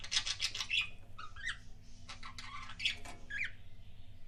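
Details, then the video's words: Kissing sounds of a pet budgie: harsh, broadband squawky bursts and clicks at the start, then short rising squeaks and scattered smacking notes, with a low background hum. "BUDGIE KISSING SOUNDS"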